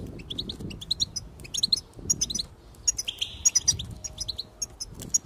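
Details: Goldfinch song to prompt other birds to sing: scattered high chirps and short twitter phrases with one brief buzzy trill, over faint low rumbling background noise.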